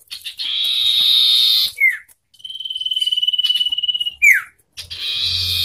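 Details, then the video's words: Common iora song duel between a wild bird and one hand-raised from young: a buzzy, harsh sustained band, a slurred downward note, then a long even pulsing whistled trill ending in another falling slur, with a buzzy phrase resuming. "Adu Suara Kencang - Sirtu Hutan dengan Sirtu Rawatan Tarung Gacor"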